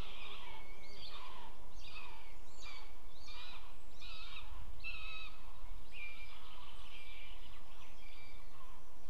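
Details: Buzzard at its nest in Estonia on 20 June 2015 at 18:00, during a prey delivery before flying off with prey: a run of short, squealing, downward-sliding calls about every 0.7 seconds, then fainter drawn-out notes over steady hiss.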